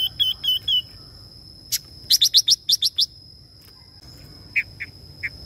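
A female Red-billed Leiothrix gives quick bursts of bright, high chirps, some in fast runs of six or seven, over a steady thin electronic whine.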